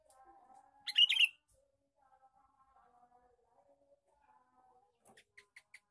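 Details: Male sooty-headed bulbul lure call: one quick bubbly phrase, followed by a faint hum and then a run of sharp rhythmic ticks.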